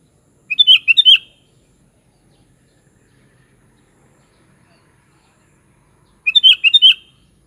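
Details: Sooty-headed bulbul singing two short bubbly phrases about six seconds apart, each a quick run of slurred, liquid whistled notes lasting under a second, with quiet background between.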